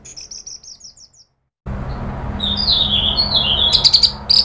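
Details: Indonesian orange-headed thrush (anis merah) in a provocation recording for agitated chattering leading into full song: a rapid series of high notes, a brief silence, then long high whistled and warbled phrases over a noisy low background.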